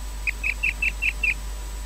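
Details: Osprey at a Loch Garten nest in Scotland, in the evening as the male arrives with a fish: six clear, high whistled chirps in quick even succession over a steady low hum.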